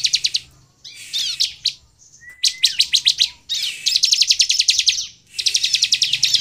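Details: Sunda bush warbler song meant to provoke other birds into singing: long rattling trills of rapid high notes alternating with a thin rising whistle, phrases separated by brief silences.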